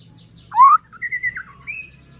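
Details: Lure song of a white-rumped shama, meant to set other shamas singing and agitated: a loud upslurred whistle followed by a smooth drawn-out whistled note and a higher rising whistle, over faint low hum.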